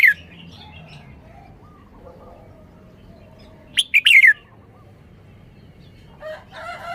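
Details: Caged red-whiskered bulbul in Thailand giving one quick burst of three bright, sliding whistled notes that end in a falling slur, with a faint fragment at the start and softer bird notes near the end.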